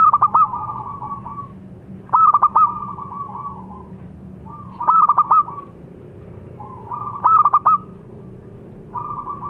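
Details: Local zebra dove singing: bursts of three or four sharp, clipped notes followed by a long, soft, level coo. Phrases repeat roughly every two and a half seconds over a low background hum.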